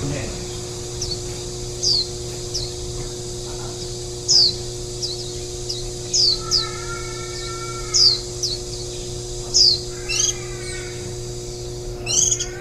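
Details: Warbling white-eye recorded at the nest on 23 July 2018, feeding ten-day-old nestlings the day before fledging. Short, sharp, high down-slurred notes come singly or in pairs every second or so, with a lower drawn-out sound partway through and a steady hum.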